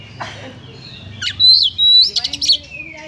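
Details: [['Oriental magpie-robin singing a harsh song meant to stir up emotion: a buzzy rising note, then a long loud steady whistle, a second loud whistled phrase and quick chattering notes, over a low background hum.']]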